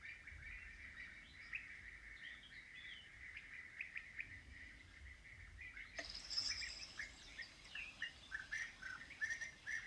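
European bee-eaters giving soft, rolling 'prrip' calls, several birds overlapping in a steady chatter that turns brighter and busier partway through.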